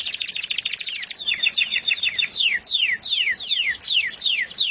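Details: Sweet canary song opening with a dense high trill, then a run of clear downward-slurred whistles repeated about three times a second.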